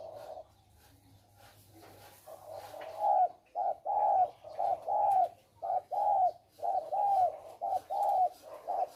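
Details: Caged male spotted doves serving as trapping decoys, cooing in a regular rhythm: throaty, mid-pitched notes in phrases of two or three, about one per second, with a faint hum early on.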